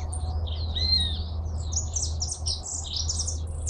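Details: Hooded siskin (jilguero argentino) song: a drawn whistled note, then a rapid, buzzy, scratchy twitter of high chirps, against constant low background hum.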